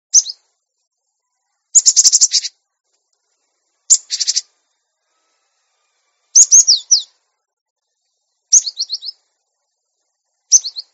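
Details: Cinereous tit, a master recording for training caged birds to sing readily and grow tame: high chirp clusters and rapid buzzy rattling bursts, then short sets of descending whistled notes, separated by silent gaps of one to two seconds.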